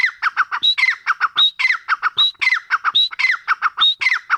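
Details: Grey francolin calling loudly in a fast repeated series of harsh, squawky phrases, each opening with a high clear note followed by descending chattering syllables, phrases recurring roughly every 0.7 seconds.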